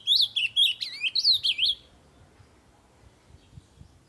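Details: A kept ultramarine grosbeak (azulão) sings loudly: one rich, warbled phrase of high, sliding whistled notes lasting under two seconds, followed by near silence.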